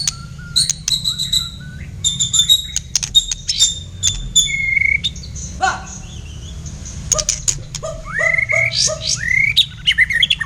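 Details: Murai batu of the blacktail form trading song with a kapas tembak bulbul, meant as tutor recording; high chips and ticks, a short level whistle, then a burst of quick rising and falling whistled notes in a tight series.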